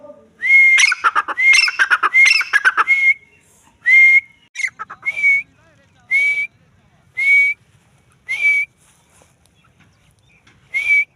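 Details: Female grey francolin (teetar) opens with a dense burst of harsh, rattling notes mixed with whistles. It then settles into single loud, shrill whistled notes, repeated roughly every second, with quiet gaps between them.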